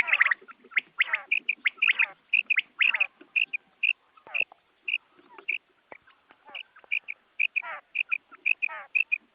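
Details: Morning quail calling used by hunters: fast, almost continuous bright chirps with downward-sweeping rasping notes and faint low murmurs underneath, quieter and more even than a single burst.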